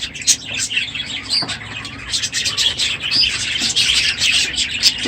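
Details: Budgerigars massed in an aviary, noisy one morning at the end of the breeding season; continuous high warbling chatter punctuated by shrill, clicky chirps from many birds.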